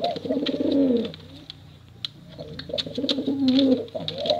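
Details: 'Bekuran' cooing of male and female pigeons: a deep rolling coo phrase, a softer pause, then another long throaty coo, accompanied by light clicking sounds.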